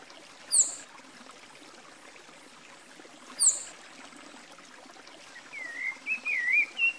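Two sharp, high descending notes a few seconds apart, then a short warbled, wavering phrase from a Rufous-bellied Thrush, over a steady rush like running water.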